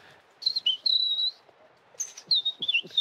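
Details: European robin territorial song during a sung exchange with human bird-song imitators, possibly including their imitation: high, thin, wavering whistled phrases with sliding notes and brief pauses, in a quiet setting.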